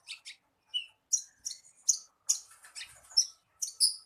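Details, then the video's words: Javan bushlark lure song to coax a captive bird into singing: jumbled, scratchy high chirps and twittering notes in irregular bursts, with short gaps between them. "SUARA PANCINGAN BURUNG BRANJANGAN AGAR CEPAT GACOR"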